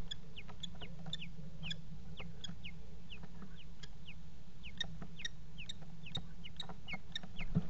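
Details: Common kestrel at a nest box on a water tower, 5 February 2018, mating on the box edge: sharp, falling 'kee' notes repeated rapidly and steadily for the whole stretch over a constant low mechanical hum.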